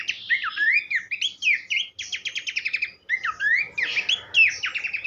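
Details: Horsfield's babbler song for training songbirds: clear rising and dipping whistles mixed with rapid ticking chirp series, split by a short pause midway.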